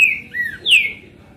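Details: A caged Green-winged saltator (Saltator similis), kept as a song bird and recorded on 22 April, sings a loud, clear whistled three-note phrase: two level notes, then a bright one sliding downward. No other sounds.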